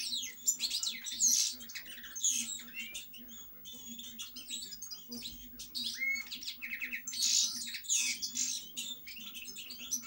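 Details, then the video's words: European goldfinch song: a fast, tinkling stream of high twittering notes and short liquid trills, delivered in dense bursts with brief pauses, over a faint steady low hum. "Cantec de Sticleti Goldfinch song"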